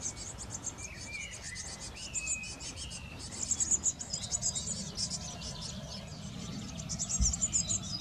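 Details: Blue tits at their garden nest box while caring for young: opening lower whistled notes, then intense high-pitched chattering bursts that swell and fade, a brief knock near the end.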